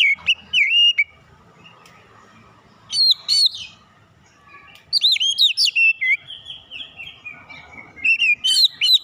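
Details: Oriental magpie-robin singing a lure meant to make listening birds heated and show off their repertoire: several bursts of loud, looping whistles and sharp notes separated by quieter gaps, with a low murmur behind.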